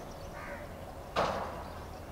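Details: A single harsh, rasping caw from a house crow, recorded 09 04 23, abrupt and brief, over a faint steady background hum.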